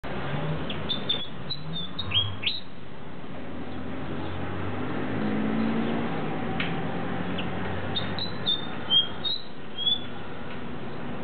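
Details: A White-spotted Fantail at its nest during egg incubation gives short, high, squeaky chips in two loose bursts a few seconds apart, over a steady low rumble of background noise.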